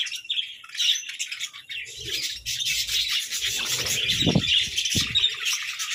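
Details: Captive parakeets fighting playfully over food, rapid jumbled chirps and squawks about four per second amid constant chatter, with thuds and scraping sounds in the background.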